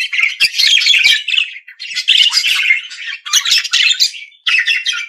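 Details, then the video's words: Budgerigar chattering in three long scratchy phrases, each one to one and a half seconds of harsh warbled squeaks, split by brief pauses. "periquito Austráliano/deixe seus pássaros 🐦 mais animado."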